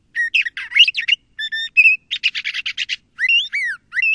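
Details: LeConte's thrasher singing a rich, mixed phrase series: harsh buzzy notes, clear whistles, a rapid rattled burst, then rising and falling slurred whistles.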